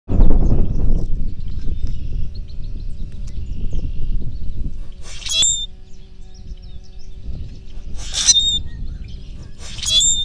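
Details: A common grackle puffs up and gives three short, harsh, squeaky screeches like a rusty hinge, a few seconds apart, over a steady low rumble of wind and a faint hum.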